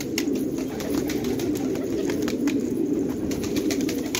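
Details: Low, unbroken cooing from a group of fighting pigeons in a village at Khanabad, Afghanistan, a soft burbling hum with occasional faint clicks and flutters.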